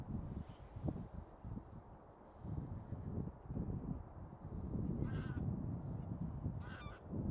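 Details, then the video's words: Low, steady murmur of honking from a bean goose flock, with a couple of higher, drawn-out nasal calls rising above it. "떼거리 큰기러기"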